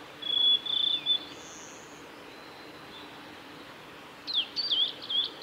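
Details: Male blue-and-white flycatcher singing at Lake Miyagase's Kanazawa forest road, Japan, on 17 May 2020: level whistled notes, then a later jumble of rapid up-and-down high whistles; faint buzz in the background.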